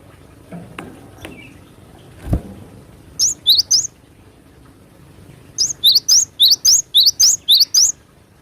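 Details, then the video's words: Cinereous tit singing in the wild in the sharp besetan style: bright high two-note whistles, a short burst of three, then a pause and a rapid series of about nine evenly repeated phrases, with faint knocks and rustles before. "GELATIK BATU GACOR BESETAN TAJAM SUARA ASLI ALAM LIAR"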